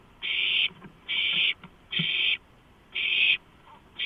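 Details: Harsh hissing screeches from owlets crowding a large rodent just delivered at 12:52 on 23 March 2015; four long rasping bursts plus the start of a fifth, spaced about a second apart, with soft scuffles in the gaps.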